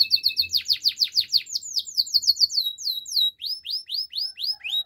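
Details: A canary's training song: dense fast series of falling chirps, then quicker clipped notes, then evenly spaced rising-falling whistled swoops, about two per second.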